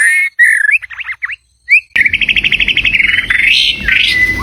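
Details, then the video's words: White-rumped shama song, used to call in a mate: clear slurred whistles at first, then a fast run of repeated notes and a rising warble over a low rumbling background. "เสียงนกบินหลาดง นกกางเขนป่า ใช้ต่อนกเรียกคู่เข้าเร็วมาก"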